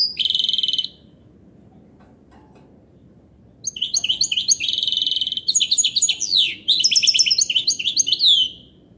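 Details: Song of a European goldfinch hybrid indoors: an opening buzzy, rasping note, a pause of about three seconds, then rapid liquid twittering phrases mixed with trills and sweeping chirps, broken by short gaps.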